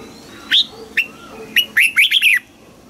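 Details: Red-whiskered bulbul in a song contest, trained toward a mature wild double-note voice: three spaced short whistles lead into a rapid tumbling phrase of loud chirpy warbles, with faint thin whistles in the background.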